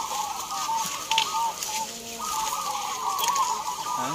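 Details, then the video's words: Local zebra doves competing in a singing contest at Gantangan Cemeraya, Yogyakarta, Indonesia, giving overlapping quick purring coo phrases, with a short lull midway before the chorus resumes; faint murmuring of people behind. "Lomba Perkutut Lokal Gantangan cemeraya jogjakarta"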